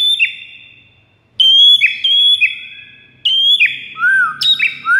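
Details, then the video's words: White-rumped shama master song used to lure rivals: loud clear whistled phrases with held tones and downward slurs, separated by brief silences, ending in rising whistled notes. "PIKAT MURAI BATU LAWAN DENGAN MASTERAN MURAI BATU SATU INI"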